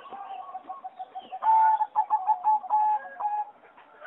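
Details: Aviary of competition singing zebra doves, bred from a wild mutation over 60 years, 26 April 2014; soft background cooing gives way to a loud burst of quick, evenly pulsed coo notes lasting about two seconds.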